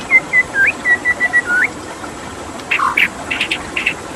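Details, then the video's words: White-rumped shama repeating short flat whistles ending in upward flicks, followed after a pause by rough, noisier notes, set against continuous water rushing. "Suara KICAU MURAI BATU dengan Suara Air"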